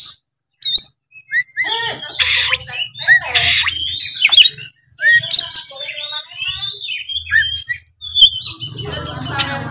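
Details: Oriental magpie-robin singing 'gacor full narung' to provoke a rival into fighting: varied loud whistles, sharp upsweeps and raspy bursts in fast phrases, ending in a scratchy chatter, with a low hum underneath.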